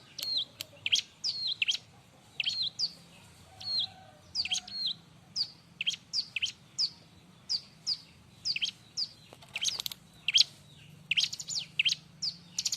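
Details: Bar-winged prinia in lively, noisy song used as master material for training other birds: a long, steady run of sharp, high chirps and slurred whistles, several each second, over a quiet low hum.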